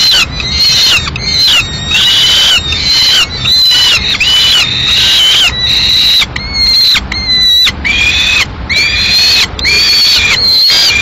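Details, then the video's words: Peregrine falcon chicks near Madrid, 14 May 2016, squabbling as the female arrives with prey and two siblings try to take it. Loud, harsh wailing screams, roughly eighty a minute, each drawn-out with bending pitch and rich harmonics. "Lucha por la presa entre los hermanos_Halcón peregrino"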